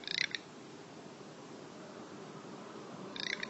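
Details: Nocturnal flight call of a male garganey: two short, dry, crackling, grunt-like rattles of rapid clicks, one at the start and one at the end, with a low hiss of background noise between.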